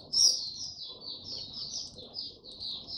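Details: Oriental white-eye, 25 January 2022, singing 'tiong aw' after sleeping late: opens with a loud shrill note, then flows into a steady chain of high, rapid, slurred whistles.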